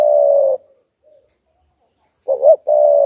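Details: Spotted dove, a decoy bird cooing to provoke wild doves: a long, steady mid-pitched coo, a pause, a short warbling rising-falling note, then another sustained coo. Indoors, quiet background.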